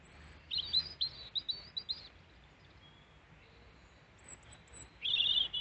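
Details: European robin singing near the person who hand-feeds it in Peasholm Glen, Scarborough, UK; a quick run of high thin notes, a quiet gap, then a loud sweet trill to close.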